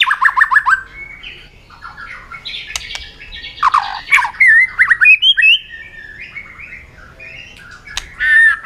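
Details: White-rumped shama in a competitive singing bout with many voices: rapid harsh chattering bursts mixed with bright whistled notes and squawky phrases, loud then pausing, and a final whistled phrase.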